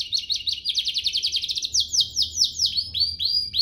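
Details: Canary song for training young canaries and prompting lively singing: a long, fast, rhythmic trill that speeds up and rises slightly, ending in a few separate upswept whistles.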